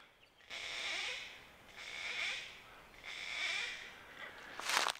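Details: Gang-gang Cockatoo in Victorian hills, Australia, where Macquarie perch live, gives three harsh, creaky, drawn-out rasps about a second each, like a squeaking gate, then a short sharper screech; quiet outdoor background.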